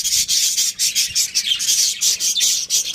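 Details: Budgerigar family chatter: dense, raspy, high chirping pulses running almost nonstop, with fast rhythmic beats.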